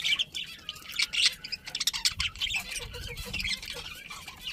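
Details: Budgerigar chatter: a dense, busy stream of rasping chirps and short squawks overlapping throughout, fairly quiet, with a low murmur in the background.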